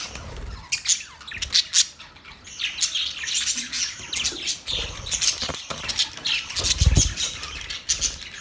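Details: Budgerigar mating chatter: loose bursts of high twittering and sharp clicks, with low thuds and wing flaps between phrases.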